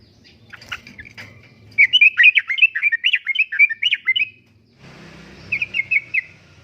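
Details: Yellow-vented bulbul in 'gacor' song for luring and tutoring caged birds, 'uplik-uplik' style: scattered chirps, then a long rapid run of liquid, bubbly notes jumping up and down, a pause, and a shorter repeated bubbling phrase over low background hum.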